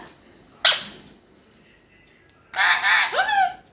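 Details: Talking parrot addressing its owner: one sharp, harsh burst, then after a two-second pause a louder, rasping, harmonic-rich phrase lasting about a second, ending in a short falling note.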